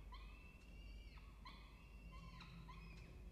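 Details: A peregrine falcon at a nest box gives three drawn-out, nasal wailing notes, each held level then dropping at the end, roughly one per second, over a steady low hum.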